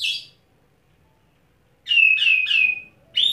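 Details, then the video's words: A white-rumped shama kept caged and bathed first gives a harsh high burst, silence, then three quick husky whistled phrases in a row and a final sharp high note. "Kacer Satu Titik Tahan Ngobra Muntah Isian"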